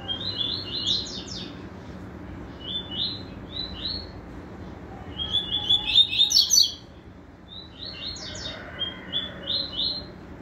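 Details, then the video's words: Group of yellow-bellied seedeaters singing together, overlapping high, rapid chirped and trilled phrases repeated in quick bursts, building to a dense chorus midway, with faint low background hum. "FESTIVAL DE TUÍTUÍs CANTANDO JUNTO"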